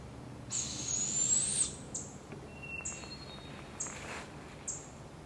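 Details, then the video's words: Wild barred owl with her babies, Canada; one long rising raspy hiss about a second long, followed by a series of short high chips roughly once a second, with a faint thin whistle-like tone between them. "Barred Owl and her babies"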